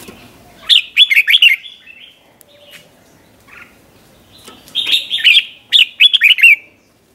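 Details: Doubled 'beuan' song of a Red-whiskered bulbul, the '100 Achip' tune used for training young birds: repeated clusters of four or five sharp, warbling whistled notes, delivered twice with a short pause.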